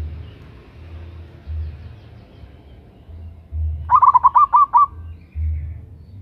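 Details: Female local zebra dove calling a male, recorded as a loud lure call: after quiet rumbling, one brisk phrase of about seven rhythmic, throaty coo notes sounds out, then low background hum returns.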